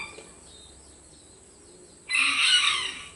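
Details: Rooster crowing, loud and melodious, one of several cockerels answering each other. After two quiet seconds a single bright, harsh crow bursts in and is cut off at the end.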